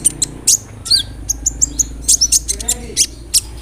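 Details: Sunbird (konin) delivering a rolling song with imitations of cricket, cililin and sparrow. Bright, high, clipped notes and quick whistled slurs are spaced in irregular clusters over a faint background hum.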